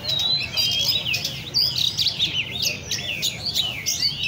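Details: Several caged Oriental magpie-robins singing together at a bird cafe in Le Thi Rieng park, Vietnam; bright, high, rapid whistles and sliding notes tumble over one another above a steady low background hum.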